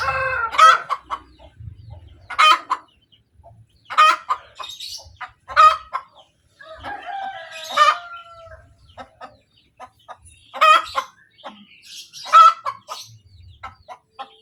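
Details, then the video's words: Long post-laying cackle from a hen: loud squawks recurring about every one and a half to two seconds, each with trailing clucks, plus a drawn-out rising note midway and faint other fowl. "SUARA AYAM SETELAH BERTELUR | AYAM BERKOTEK | AYAM BETINA BERTELUR"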